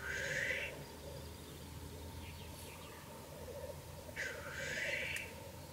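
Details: Black grouse watched from a hide at about 9 pm in the evening: a harsh hissing rush, soft low bubbling underneath, then a second breathy hiss about four seconds later.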